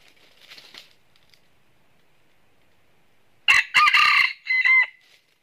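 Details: Faint distant crow first, then a loud nearby crow from a red junglefowl at a northern Vietnam trapping site where a red-eared decoy is used; the close call is rough and broken into three parts, fading on a whistled ending.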